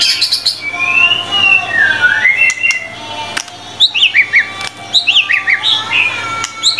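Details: White-rumped shama song used as training material for other birds: long slurred whistles rising and falling, followed by a quick run of high descending notes.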